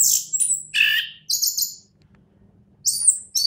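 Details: Orange-headed thrush, a champion singer, gives short separate bursts: high thin whistles, a buzzy lower phrase, then quiet pauses before more piercing high notes.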